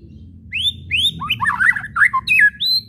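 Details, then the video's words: White-rumped shama whistling and chattering kretekan, used to stir shamas to sing: two rising whistles followed by a rapid tangle of harsh scratchy chatter, ending in a rising whistle, low hum beneath. "SIULAN DAN KRETEKAN MURAI BATU BIKIN RIBUT"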